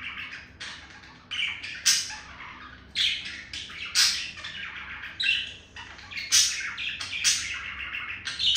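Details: Male budgie seducing a female budgie: a continuous chirpy, scratchy warble with emphatic clicking bursts about once a second, fast and uneven in rhythm.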